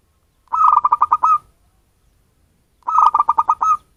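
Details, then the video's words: Zebra dove of local wild stock, recorded as a lure for birds: two matching phrases of about eight fast, fluty coos each, ending in a held note, roughly two and a half seconds apart. "suara pancinggan perkutut lokal cocok untuk pemikat burung"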